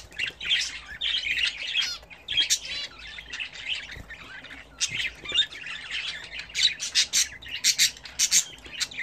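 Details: Budgerigars raised as a home hobby, chattering while bathing: continuous high warbled twitters and quick rising chirps, growing denser and sharper toward the end.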